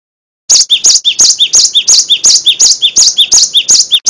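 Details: Loud, nonstop song of a Cinereous tit used to train songbirds. Following a brief silence, a clear ringing phrase of a low slurred note and a high sharp note repeats quickly and evenly.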